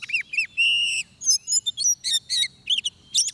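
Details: Oriental magpie-robin recorded during trapping, delivering clear whistled phrases: curved downslurs, a long steady whistle, then short bright chirps and rising notes in quick succession, with nothing else audible.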